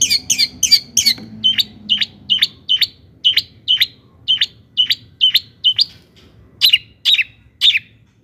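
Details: Singing long-tailed shrike, played to stir other shrikes into song: a rapid chatter opens, then a steady train of short, clipped chirps about three per second, ending with three louder, broader notes.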